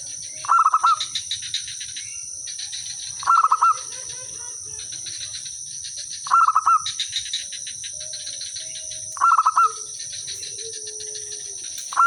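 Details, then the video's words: Zebra dove from the village, singing eagerly as a decoy that makes other birds reply; five crisp cooing phrases of four or five fast notes, repeated roughly every three seconds, over a persistent shrill buzzing background. "suara merbok kampung/perkutut lokal gacor manggung jadi pikat pancingan semua jadi nyaut"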